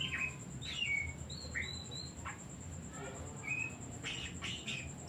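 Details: Oriental magpie-robin song used as a lure to make other birds sing: falling and level whistled notes in a quick sequence, followed by harsher buzzy chips, over a faint hum and high whine.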